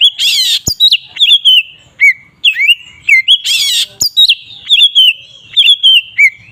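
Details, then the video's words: Oriental magpie-robin giving its "ngeplong" song to provoke other magpie-robins: two harsh rasping bursts set among rich whistled phrases, notes dipping and rising, with sharp clicks and almost no pause. "Suara burung Kacer ngeplong ini paling ampuh untuk pancingan Kacer agar emosi"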